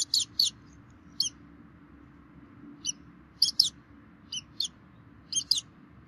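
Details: Wild bald eagles at their Minnesota nest on 3 May 2016 during a feeding by both parents; high, piercing paired chirps in irregular bursts with quiet gaps and a soft low hum.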